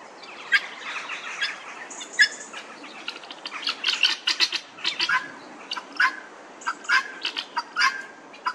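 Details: Helmeted guineafowl (Numida meleagris), a group in a Northamptonshire churchyard in England. Several birds overlap in irregular harsh squawks and chattering bursts, some loud and sharp, with shorter squeaky notes mixed in.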